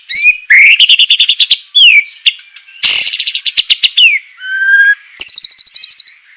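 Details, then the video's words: White-rumped shama song recorded to train captive birds, sharp, harsh delivery: whistled upslurs leading into quick trills, a loud noisy burst, descending whistles, and a closing run of rapid high repeated notes. "masteran besetan murai suara semelet suara pedas tembakan kasar"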